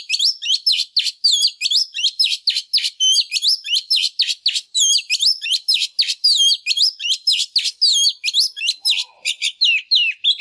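A female Oriental magpie-robin sings a dense, unbroken run of high, rapid, twisting chirps and whistles for ten seconds, easing off toward the end.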